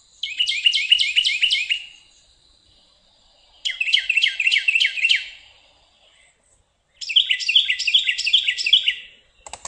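Carolina wren singing three loud bursts of rapidly repeated rolling phrases, a ringing 'tea-kettle, tea-kettle' about five times per burst, with short pauses between.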